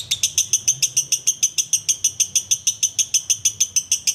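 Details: Ngekek chatter from a sooty-headed bulbul: a loud, very regular series of sharp, high, metallic notes, close to three and a half per second, steady in pitch and spacing over the whole stretch.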